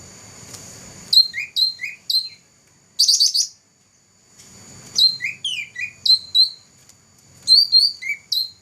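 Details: First-place champion black-throated laughingthrush from 2014: clusters of sharp high chirps and short upslurred whistles, given in bursts with pauses, a faint steady high tone and soft low rumble behind.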